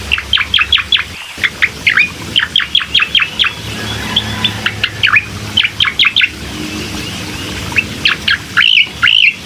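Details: Bar-winged prinia song used as a lure to prompt a reluctant bird to sing: bursts of short, bright, sharply dropping chirps in quick series, pausing between phrases, with a low rumble of passing traffic beneath.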